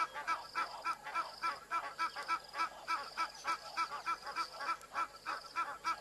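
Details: Egyptian geese at Madikwe Game Reserve, a drier region of South Africa, give loud, harsh, nasal honks at about three to four per second, with a red-knobbed coot heard in the background and faint noise underneath.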